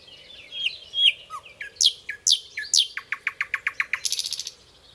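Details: A nightingale sings as a model for training songbirds, moving from twittering warbles to loud downward-sweeping whistles, then a rapid run of repeated chip notes and a short harsh buzz.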